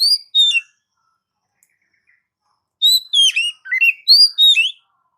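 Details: Oriental magpie-robin song played to stimulate pet magpie-robins: clear high whistled notes and quick descending slurred phrases, delivered in short bursts separated by silence.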